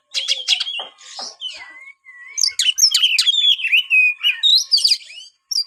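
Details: A white-rumped shama delivers quick clicking notes, then long sliding whistles and a fast stream of sharp, varied notes, with a steady faint tone running underneath.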